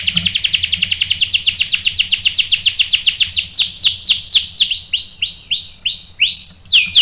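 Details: Canary singing as a lure to provoke other canaries into answering with sharp rolling song: fast repeated high chirps about four per second, slowing into longer swooping downslurred notes, then a sustained whistle and abrupt rising-falling phrases.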